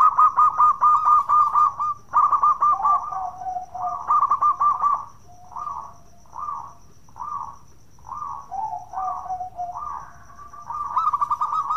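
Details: Local Zebra Dove 'bekur' cooing, a lure to get other doves singing: stuttering coo runs, then evenly spaced single rounded coos about once a second with a lower coo beneath, ending in another rapid run; faint high tone behind.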